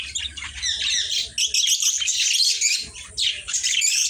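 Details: Budgerigars (baajri), Australian parrots, in busy high-pitched warbling chatter with scratchy squawks and chirps, almost unbroken, over a faint low hum.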